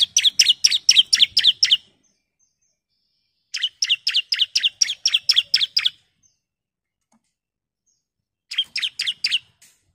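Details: Female bar-winged prinia calling to the male to lure birds into song: three clean bursts of fast, sharp, high chips, each lasting about two seconds, separated by silence.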